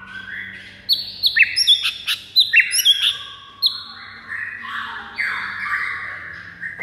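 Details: White-rumped shama singing a fighting song to stir up rival birds: rich mix of whistles, chatters and sharp clicks, ending in long smooth lower whistled notes.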